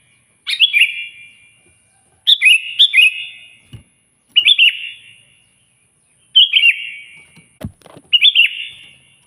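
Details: Sooty-headed bulbul singing vigorously to provoke a rival, delivering five bubbly phrases of two or three quick falling whistles, spaced roughly two seconds apart, with a couple of dull thumps.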